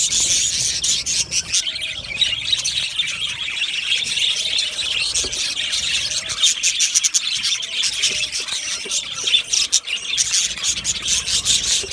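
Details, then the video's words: Aviary budgie colony giving nonstop high-pitched twittering, with many birds chirping and warbling at once in an even, dense chorus for about twelve seconds. "Budgies chirping sounds"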